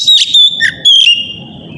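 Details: Oriental magpie-robin morning lure song for prompting other birds of its kind to reply. Two long, pure whistles at steady pitch with a brief rasping note between them, over low background noise.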